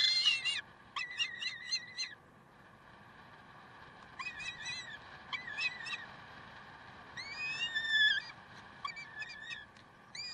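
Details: Peregrine falcons at Karlsruhe, 30 May 2010: scattered groups of short, clipped screeches and one longer wavering wail, with quiet gaps between them and a steady low hum throughout.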